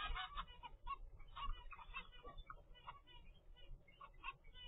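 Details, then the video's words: Zebra finch nestling at day 25 from a captive first brood, giving many short, nasal, honk-like begging calls in quick irregular succession throughout, over a steady low hum. "zebra finch baby DAY 25"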